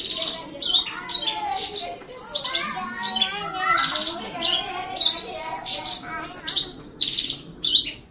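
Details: Caged Horsfield's bush lark in vigorous song, delivering a dense, varied jumble of high chirps, slurred whistles and chattering phrases. Some notes swoop down and some are sharp and short, packed closely together.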